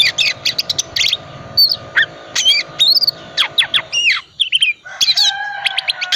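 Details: Calm-type Oriental magpie-robin in lively lure song meant to set silent magpie-robins singing: dense bursts of sharp chips, looping whistled slurs and a clear downward-curving phrase, varied and nearly continuous.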